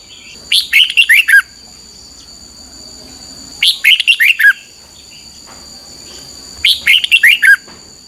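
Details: Red-whiskered bulbul singing a morning training song, short bursts of five or six bright, slurred whistled notes dropping in pitch, repeated about every three seconds, with a steady high electronic tone running underneath.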